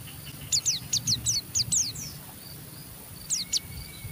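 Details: Pleci (Oriental white-eye) rough chatter used to goad other white-eyes into singing: a row of about eight thin high downslurred notes, a pause, then two more, over constant hiss.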